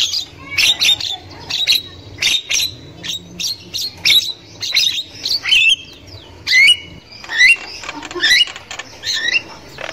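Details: Javan myna in the wild, a female used as a lure for young birds, giving repeated short squeaky notes roughly once a second, then twisting whistled slurs rising and falling.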